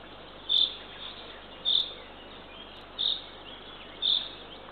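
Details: Eurasian eagle-owl chick being fed at dawn on a nest platform in Northern Estonia, 3 June 2023; four breathy, rasping bursts spaced a little over a second apart, with a couple of sharp ticks.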